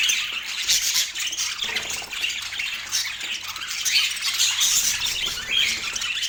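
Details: Budgerigar kept as a pet in Portland, giving continuous busy chatter of scratchy chirps and squeaky warbles that overlap without a break; a faint low hum sits underneath.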